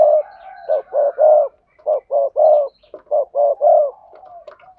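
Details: Spotted dove sa thúc, gù and gáy calling to lure wild doves: a rapid run of short rounded low coos, mostly in groups of three, about fifty per minute, with a soft hum between groups.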